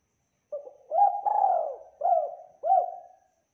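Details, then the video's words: Spotted dove, a prolific singer with a clear, thick voice, recorded as a training recording: one phrase of mellow coos, a short low note, then a long drawn-out coo and two clipped coos, in silence. "TEKUKUR GACOR SUARA JERNIH TEBAL MEWAH"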